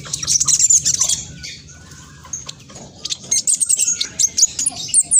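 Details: Spotted black sunbird singing in fast, noisy bursts, used as a lure to make other birds answer. Very high, rapid sharp chirps and thin trills, a dense burst first, a short lull, then quick repeated twittering notes.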